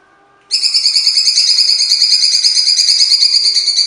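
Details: Cucak cungkok singing coarse, full 'tembakan' bursts: a long rapid trill of sharp, high, evenly repeated notes, about three per second, starting abruptly after a brief quiet pause and continuing steadily.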